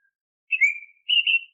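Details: Oriental magpie-robin lure song for caged birds: two clear whistles, the first sliding downward, the second steady and bright, separated by a short gap in a silent setting.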